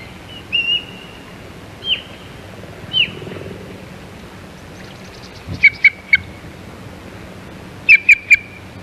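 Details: Osprey at the Hog Island nest on 15 April 2022, calling while chasing off an intruding look-alike osprey: a few clear downslurred whistles, then two quick bursts of three sharp chirps near the end.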